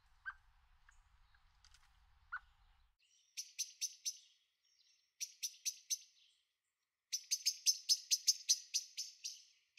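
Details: Young Eurasian blackbird, the second one seen in a garden, 23 May 2013. A faint low rumble and a few soft notes come first, then clipped, high, sharp chirps in three quickening bursts.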